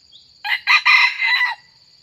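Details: Sumatran red junglefowl used for lure-trapping gives a brief, hoarse crow of about one second in several quick choppy bursts, cut off short, over a steady thin high whine.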